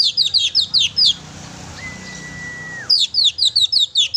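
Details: Energetic oriental magpie-robin song, a lure for pet magpie-robins: rapid high chirps repeated in quick succession, a pause, a long flat whistle ending in a downslide, then more fast sharp chirping.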